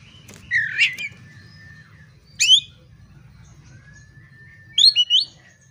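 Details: Oriental magpie-robin singing as a lure to provoke fighting: a harsh rich phrase, a sharp high note, a long level whistle, and a final burst of quick high notes.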